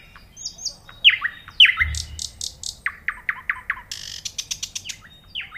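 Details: Varied nightingale song with descending whistled slurs, sharp downward notes, and then a rapid burst of clicking, stuttering repeated notes, followed by further short swooping whistles.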